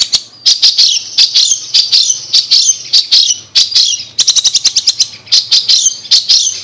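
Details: Long-tailed shrike chirping, recorded as a master bird: rapid scratchy chirps grouped in short bursts, roughly two per second, with a quick stuttering run midway.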